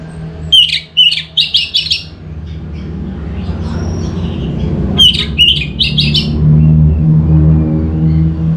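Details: Orange-headed thrush singing as a lure for other birds. Two phrases of a whistled note followed by fast rhythmic chattering chirps, about four seconds apart, over a constant low hum.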